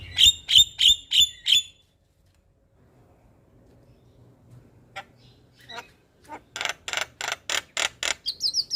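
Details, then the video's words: Javan myna singing in the morning for tutoring and luring other mynas: five sharp, regular chips, a near-silent pause with faint clicks, then a rapid row of rough, buzzy bursts ending in a rising whistle. "Jalak kebo gacor Masteran dan pancingan Burung Jalak Pagi Hari - Panggilan Jalak Kebo"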